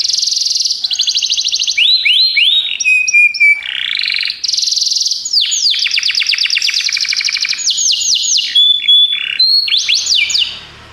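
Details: Belgian canary song for training canaries: unbroken sequence of varied rapid trills, rolling buzzes and rising and falling whistled sweeps, with a few pure sustained tones near the end.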